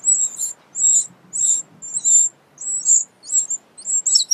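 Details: Eurasian wren family at an unusually large nest built under a pavilion, sheltered from wind and rain; thin, very high chirps repeated about every half second against a quiet background.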